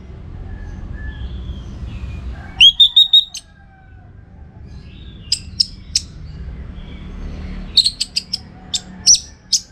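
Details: Orange-headed thrush on a training recording for contest birds: a short loud run of ringing whistled notes, quieter spaced chips, then a closing cluster of sharp high notes, over soft background hum.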